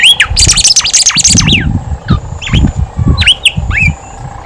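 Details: Horsfield's babbler in full, energetic song, meant to coax reluctant babblers into singing. It gives quick high chirps and upslurred whistled notes in rapid bursts, with dull low thumps and knocks underneath.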